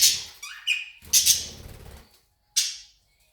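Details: Budgerigar giving harsh, high chattering squawks in short bursts, with a faint low rumble in the background; recorded 20 February 2019.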